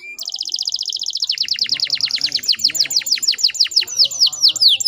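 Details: Female canary recording used to stir untrained males to sing: a rapid, even rattle of high notes slowing into a string of loud downward-sweeping chirps.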